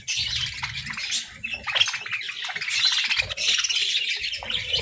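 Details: Pet parakeets in their daily routine, a busy chorus of overlapping chattering chirps, warbles and squawky notes from several birds at once, with some low rumbling in the background.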